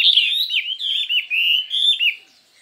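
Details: Chinese hwamei in a singing contest, giving a varied, intense song: a fast run of bright whistled phrases that slur up and down, broken by short pauses, then fading out near the end.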